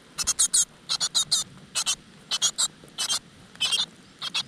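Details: Great tit chicks begging from a nest in a rock crevice as the mother brings insects: high, scratchy squeaks in little groups of two or three, spaced roughly half a second apart.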